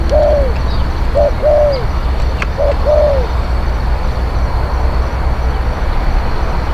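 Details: Spotted dove song for luring wild doves: a few mellow, falling coos with short lead-in notes in the first three seconds, then only steady low rumbling background.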